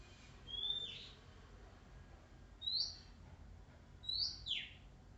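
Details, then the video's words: Wild Oriental magpie-robin, shy yet singing on and on: three separate phrases, each a high whistled note slurring into a buzzy downward sweep, spaced about two seconds apart over faint background hiss. "SUARA ASLI KACER ALAM LIAR"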